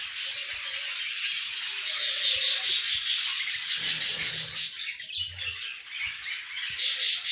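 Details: Young budgerigars kept in captivity: steady, rasping high-pitched chatter from several chicks that swells and fades in pulses every second or so, with faint scraping noises.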